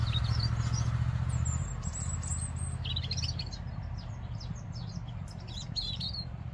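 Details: A European robin on the banks of the Adige river in Vallagarina, Trentino, sings thin, high, warbling phrases in short bursts over a steady low rumble of rushing water and distant traffic.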